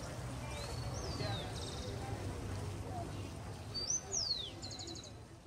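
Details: Rufous-collared sparrow (Zonotrichia capensis) in Colombia (Chicaque Natural Park / Bogotá botanic garden), April 2019, sings a thin high whistle, a slurred falling note, then a quick dry trill over a steady low rumble.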